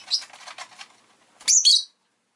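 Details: Pet rosy-faced lovebird indoors: soft rustling chatter, then a loud harsh high chirp pair near the end; street noise such as engines or bicycles may be present.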